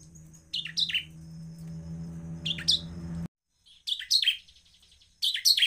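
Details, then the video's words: Bar-winged prinia in semi-cristal style, sung to stir other prinias into calling. Sharp, falling chirped notes come in pairs and short clusters, with a low electrical hum under the first half. "ciblek semi Cristal gacor Cepat memancing emosi ciblek agar bunyi"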